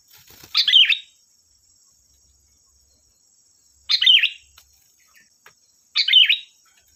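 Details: Sooty-headed bulbul (kutilang), described as a lively singer and used as a lure to get other bulbuls to answer, gives short bubbly chirped phrases spaced a few seconds apart, with a thin steady high tone in the background.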